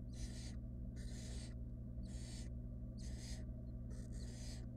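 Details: Wild barn owl nestlings in a monitored nest box as the female brings a rodent, which a nestling swallows fast. Harsh, breathy hissing screeches come in five bursts about a second apart over a steady low hum.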